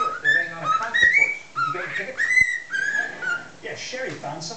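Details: Six-month-old pet cockatiel whistling mashed-up versions of the Chocobo tune and Addams Family theme, adding clicks. Clear, bright whistled notes, some sliding upward, follow each other in quick phrases over a steady background of television talk and noise.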